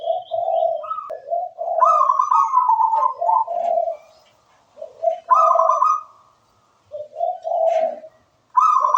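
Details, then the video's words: Actively singing local wild-type zebra dove giving a rapid mix of lower purring notes and higher rolling trills, phrases running close together with a few short silences. "Suara merdu perkutut lokal alam gacor"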